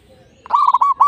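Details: Local zebra dove singing, used as a lure to stir other doves into song: a loud, short rolling series of mellow, bubbling coos at one steady pitch, cut off at the end.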